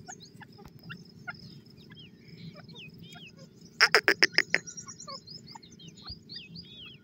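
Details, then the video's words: Grey francolin giving a short burst of loud, rapid, evenly spaced harsh notes lasting under a second. Other birds whistle and chirp against a steady low hum. "wonderfull voice titur bird, tetar calling"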